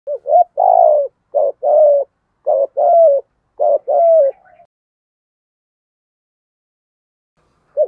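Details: Spotted dove in the deep thổ voice style, a lure bird giving urging coos to provoke wild doves; six low hoarse coo notes in quick pairs, each short note followed by a longer falling one, then several seconds of silence and one final note.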